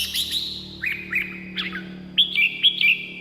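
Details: Red-whiskered bulbul song meant for playback to lure wild birds or excite caged ones: short liquid whistled phrases with quick rising and falling notes, a steady low hum underneath.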